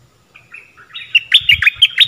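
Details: Lure song of a stripe-throated bulbul, used to teach young birds and draw in wild ones: a rising warble leading into a burst of loud, rapid, liquid chirping notes, with faint low thumps.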